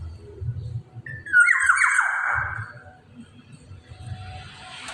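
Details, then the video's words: Black-naped oriole singing: one loud, mellow phrase that starts with a rising whistle and then slides down in a rich, slightly harsh slur, set against low rumbling background noise. "Kepodang emas gacor"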